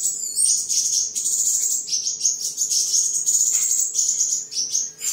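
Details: Continuous very high, thin, sizzling trill of a caged seven-colour sunbird recorded 23 July 2022 in Đồng Nai, Vietnam, during singing, display and sparring; barely pausing for five seconds, over a faint steady hum.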